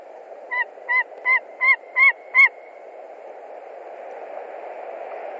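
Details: White-tailed eagle on a Latvian nest, 20 March 2021, calling at a visiting stranger eagle: six rapid, ringing yelps in quick succession, rising slightly in loudness, then only steady hiss for the remaining seconds.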